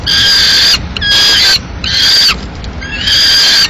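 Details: Peregrine falcons calling at their nest in Madrid in mid-May 2016 as a live swift is delivered by the male; four hoarse, tonal wails separated by short silences.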